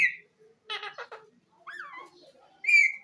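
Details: Green ring-necked parakeet kept as a talking parrot, saying the phrase "mian mitho chori khani ha": clipped speech-like syllables mixed with clear whistled slides, ending on a loud, high whistle indoors.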